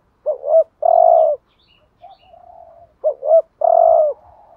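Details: Spotted dove cooing as a decoy to rouse other doves: two brief warbled notes and a long mellow coo, a soft faint coo between them, then the same three-part phrase repeated.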